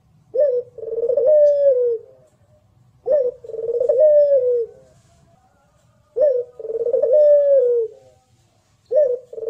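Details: Local puter, the Barbary dove, giving its pelung contest song as a tutoring recording: a clipped rising opener and a rich, sustained coo that fades lower, repeated four times at steady three-second intervals.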